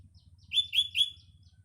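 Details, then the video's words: Morning phrase of a sooty-headed bulbul: three loud, clear, bright notes in quick succession, each sliding slightly, over a soft low hum. "burung kutilang berkicau"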